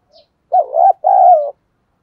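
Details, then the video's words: Decoy spotted dove cooing to lure wild doves, in the thổ sấm voice style: one loud, low two-part coo, a short hooting note then a longer wavering one, over otherwise quiet background. "cu gay kich boi nhanh noi hàng ngày mở lên là bổi gáy"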